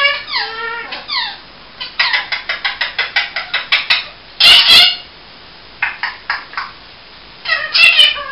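A ring-necked parakeet chatters in a quick run of short, squeaky syllables, some rising and falling like mimicked words, broken by two harsh, loud screeches.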